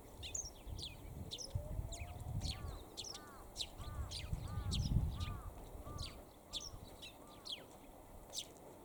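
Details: Perched Eurasian tree sparrow calling at length on a sunny day: quick high chirps run continuously, with a separate series of short, arched, lower notes and louder low rumbling in the middle.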